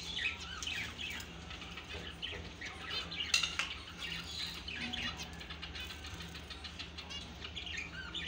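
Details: Several finches singing together, a busy overlapping stream of high chirps, twitters and short trills with no pause, one louder burst near the middle.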